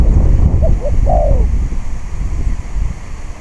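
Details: A single song phrase from a spotted dove at a decoy-trapping site in strong wind. Two quick low coos lead into a longer, descending coo, then only gusty wind rumble remains.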